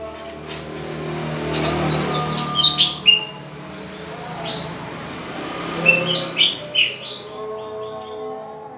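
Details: Caged green leafbird during pairing, delivering high, sharp chirps that slide downward in pitch, in two clusters of about half a dozen notes each, with faint low humming behind.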